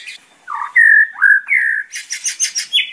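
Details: White-rumped shama (murai batu) song, used as a training recording for young birds: clear whistled notes, some rising and some falling, in quick succession, then a fast series of bright, buzzy chattering notes.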